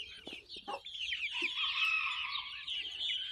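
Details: Chicken chicks in a barnyard, hatched May 21, 2024 and recorded June 22, 2024. A few short clucks open the clip, then a long, sustained, tonal high peeping rises above a busy background of chirps.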